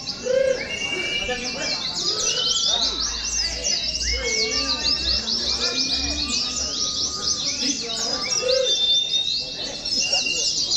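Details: Oriental white-eye in contest-simulation training at a songbird competition ground: continuous busy high chattering and twittered phrases with long thin whistles, several birds singing at once, faint talking and low rumble behind.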